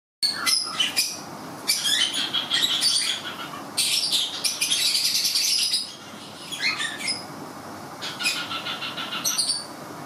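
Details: A pet male cockatiel gives shrill chirps and a drawn-out whistled note, mimicking a wolf's howl.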